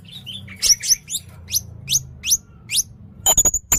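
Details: Blue-crowned hanging parrot, called red-necked, singing in sharp bursts: a steady run of thin upward-sweeping squeaks about every half second, ending with several loud harsh rasping notes.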